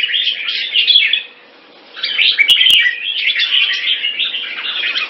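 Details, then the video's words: Singapore-kept caged Red-whiskered bulbul in a sparring session with fast wing display, 'keke machine' style: continuous busy chattering and twittering phrases, a short quieter gap, two sharp knocks and a faint low steady hum. "Jambul -สิงคโปร์เลี้ยง นกหัวจุก Dragon3 (Keke Machine Fast Beewing Display) Rotational Sparring"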